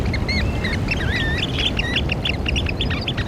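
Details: Eurasian oystercatchers calling together: many short, shrill, piping notes overlapping in a busy chorus, some rising and some falling, with a steady low rumble of background noise underneath.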